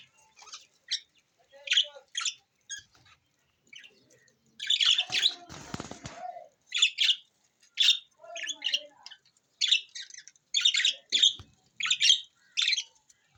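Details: Budgerigars, Australian parrots kept as a new pair or colony, giving short bursts of chirpy, scratchy warbling chatter in repeated clusters, with a brief rustle or flutter midway.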